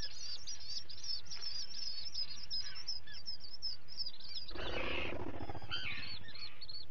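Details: A common guillemot chick being fed, live-cam recording from 11 July 2020: quick runs of shrill upslurred peeps, then a brief loud rough burst midway before the high peeping resumes.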